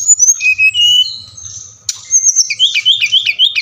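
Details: Brown-chested jungle flycatcher song played to prompt captive birds to sing: high whistled notes sliding down, then rapid rising-falling warbled phrases repeated about every quarter second, with a faint low hum beneath.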